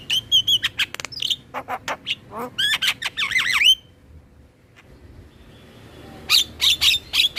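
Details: Black-winged myna song used to stimulate captive birds to sing: rapid sharp notes and whistled slurs, wavering looping phrases, a quiet gap, then loud repeated harsh chatter notes.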